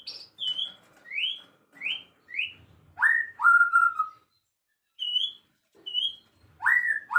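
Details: Afternoon birdsong of clear whistled phrases: high down-slurred notes, then rising slides, then lower drawn-out whistles with pauses between them, in an otherwise silent setting.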